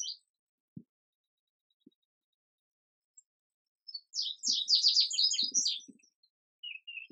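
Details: Indigo bunting singing one quick, bright phrase of clear, high, sliding notes lasting under two seconds, following scattered low knocks and quiet gaps, then a short high note at the end.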